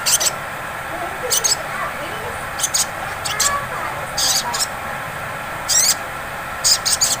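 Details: Sogon sunbird lure song of the ngleper style, meant to trigger the ngriwik singing of other birds: scattered clusters of shrill, fast high ticks separated by pauses, against a constant background hum.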